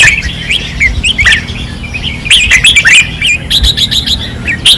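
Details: On a training perch in Pattani, caged red-whiskered bulbuls sing intensely: gurgling warbled notes give way to a rapid string of sharp, evenly repeated chirps near the end, against a low hum.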